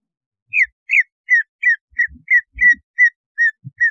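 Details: Greater green leafbird song used as a lure to raise breeding arousal: about ten downward-slurred whistles, each roughly a third of a second apart, with faint low knocking sounds beneath.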